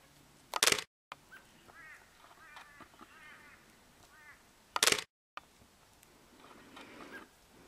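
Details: Grey-crowned babbler at Coolmunda Dam, Coolmunda, Inglewood, Queensland, Australia, filmed with a Canon Powershot S5 IS: a run of nasal, wavering chatter notes in the middle seconds, framed by two sharp mechanical clicks and brief dropouts.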